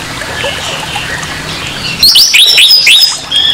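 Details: Orange-headed thrush in harsh song used to stir aggression in a rival. Quiet murmuring at first, then a loud burst of rapid, sharply upslurred whistled notes repeated several times before a final clear note.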